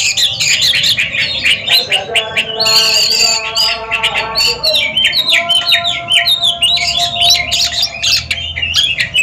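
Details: In a song competition duel, Oriental magpie-robins give a continuous stream of harsh chirps and varied whistles, with a brief squawky burst near three seconds and a low background drone.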